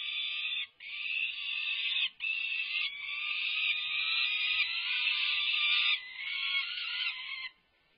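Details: Peregrine falcons at UC Berkeley's resident nest during a feisty feeding frenzy with tugs of war, 24 May 2024: a harsh, grating scream held almost without pause for about seven seconds, broken by two short gaps.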